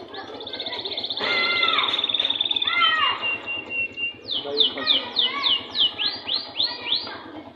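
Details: Canary in a cage hanging on a wall, singing long sustained high notes, then a series of quick rising swooping whistles repeated about four per second, with a constant low mechanical hum behind.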